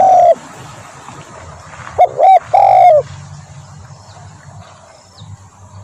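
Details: Spotted dove voice for bird luring. One loud coo opens the recording, then a quick pair of coos follows about two seconds later, with quiet background hum in between.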